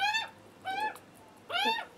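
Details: Hungry juvenile Australian magpies screaming for food on their first visit to a feeding spot, with a nervous adult male nearby. Three harsh, rising-then-falling squawks, each under half a second, with pauses between them.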